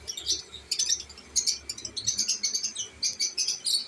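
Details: Pet lovebirds of different kinds, kept with their babies. They give rapid, high, scratchy chirps in a busy run, several each second, with brief pauses and a faint low hum.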